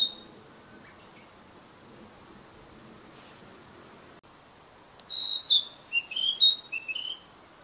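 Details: A Narcissus flycatcher singing in the wild gives a brief burst of clear, high whistled notes that rise and fall quickly, after several seconds of near silence.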